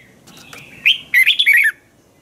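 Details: Thai caged red-whiskered bulbul giving a crisp training song: a soft faint lead-in, then a loud burst of quick, fluty, slurred whistles falling slightly in pitch, lasting under a second.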